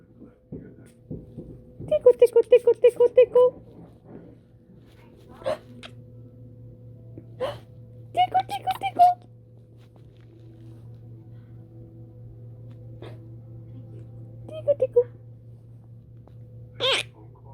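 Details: Pet male monk parakeet (quaker parrot) chatters and mimics a squawky spoken 'hi' greeting in short bursts, with a person talking nearby.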